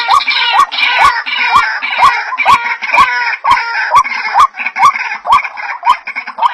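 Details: White-breasted waterhen lure sound: repeated upslurred notes at a brisk rhythm, partly masked by a loud, dense chorus of squealing, chattering calls higher up, with periodic clicks.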